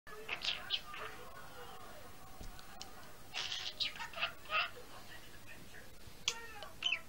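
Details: A pet budgerigar named Charlie babbles talkatively in bursts of scratchy chirps and warbles, remixing mimicked phrases like "what ya doin' doin' doin'" and "Charlie" into his own.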